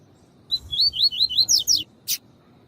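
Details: Double-collared seedeater singing the tui tui style of song used to train and warm up males: a run of about six whistled, wavering slurred notes that turn buzzier and steeply downslurred at the end, then one short harsh burst.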